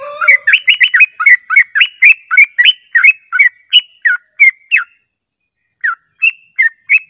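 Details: Yellow-vented bulbul lure song used to draw birds into responding: rapid bubbly, warbling notes repeated about three per second after a short low opening note, a brief pause, then a few more chirpy notes.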